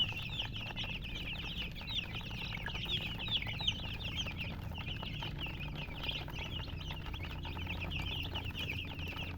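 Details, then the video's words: Many colored chicken chicks calling at once, a tight stream of sharp, high, downslurred peeps that thins briefly and then swells again, over faint low background noise. "silly chicken chirping sounds"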